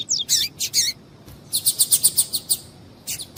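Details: Female coleiro tui-tui calling to stimulate the male: high noisy notes, then a rapid even series of about ten sharp ticking pulses, and one last burst.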